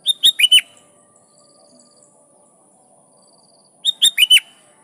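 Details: Sooty-headed bulbul calling rivals with lively song, meant to lure wild bulbuls into answering; two identical phrases of four fast, clear whistled notes, about four seconds apart, with near silence between.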